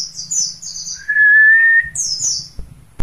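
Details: A captive mountain white-eye from Mount Slamet sings high, thin twittering phrases that break around a single sustained mid-pitched whistle, over a faint low hum.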